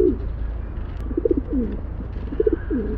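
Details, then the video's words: Rock pigeon giving short, low throaty coos in quick bursts, some rolling downward, several phrases within three seconds over a steady low hum. "15 Minutes Rock Pigeon Call/Sound"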